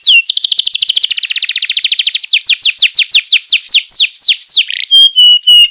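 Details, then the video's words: Tutor song of a canary meant for young birds: a long rapid rattle of identical notes, then slower down-slurred whistles and a final pair of pure high tones. "PANCINGAN JITU BURUNG KENARI#014,masteran burung kenari paud"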